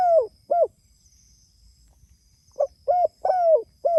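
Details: Spotted dove calling out to its companions: the tail of one cooing phrase, then a full phrase of short mellow notes around a long downward-sliding coo, with faint high tones in the background.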